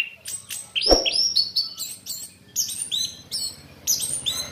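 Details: Orange-headed thrush lure recording meant to attract the species: a fast, varied run of high whistled and chattering phrases, with a single dull knock early on over a faint low hum.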